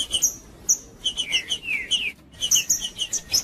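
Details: Male green-winged saltator singing hard, used to warm up other birds into song; quick clear whistled notes and downward slurs come in rapid succession, mixed with bright high chirps.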